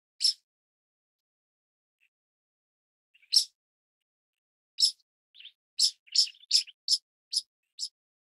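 Sharp, high chirping notes from a pied kingfisher, first single and spaced seconds apart, then quickening into a rapid series of about three per second.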